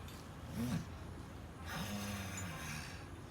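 An ostrich gives low, hollow rumbling notes with breathy, hissing rushes of air, two drawn-out deep sounds within about three seconds.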